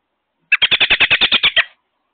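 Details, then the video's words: American robin at its nest with young, recorded May 22 by an outdoor wireless solar security camera; one loud burst of about ten rapid, sharp, evenly spaced notes lasting just over a second, with silence around it. "ROBIN CAMERA - MAY 22nd. They ARE Very Loud Today"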